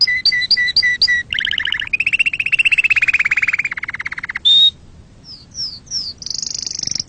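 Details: Canary singing to stimulate other birds and tutor young chicks: short paired notes, then a long buzzy rolling trill, a bright whistle, brief pause, and rising sweet notes into a high sustained tone.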